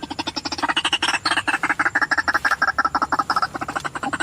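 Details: White-breasted waterhen calls used as a lure to attract wild birds: a fast, steady series of harsh, nasal croaking notes, about three per second, continuing without a break.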